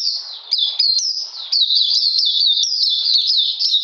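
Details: Oriental magpie-robin kept in captivity, recorded in cold rainy weather on 13 June 2020, delivering a continuous stream of shrill, slurred notes that flick up and down, loud and unbroken throughout.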